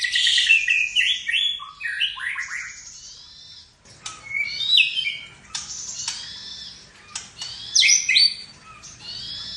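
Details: ['A caged white-rumped shama sings phrases filled with cililin, jenggot and kapas tembak mimicry. The song runs as a tumbling series of descending whistled notes, then a pause, then sharper rising and falling whistles mixed with clicks on a quiet background.']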